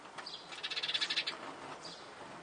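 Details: Young sparrow begging during feeding on a home terrace, siblings competing for food: a quick harsh stuttering series of about ten rapid pulses, high and buzzy, then fainter chirps.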